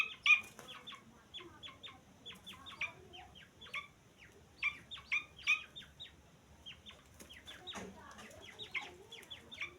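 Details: Grey francolin chicks give steady runs of short, high peeps in rapid clusters. A few louder accented notes stand out, with a soft low rustle near the end.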